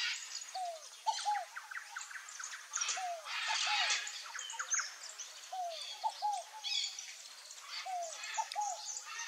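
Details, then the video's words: Scaled dove, also called rolinha-fogo-apagou, singing a repeated phrase: a low descending whistled coo followed by two short higher hoots, given several times, with busy chirping of other birds overhead. "ROLINHA-FOGO-APAGOU canto"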